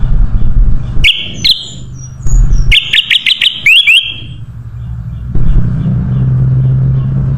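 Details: Ruby-throated bulbul song used as a lure: a couple of sharp whistles, then a quick series of clipped notes and rising slurs, all over a steady, loud low rumble.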